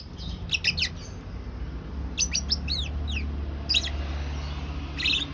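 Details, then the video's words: Lovebird giving ngriwik-style chatter: short bursts of sharp, high chirps and squeaky sweeping notes in clusters about a second apart, with quieter gaps between, over a steady low hum. "Love bird ngriwik"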